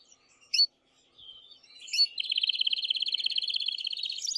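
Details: Male canary in an excited state, singing loudly to rouse the female for mating. Two sharp high chirps and a thin whistle lead into a fast, steady, rattling trill that runs to the end.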